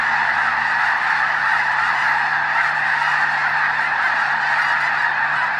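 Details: Snow geese massed at the Hayton Snow Goose Reserve, Skagit Wildlife Area, Washington, near Conway; a loud, even chorus of countless honks runs without break, thick and harsh throughout.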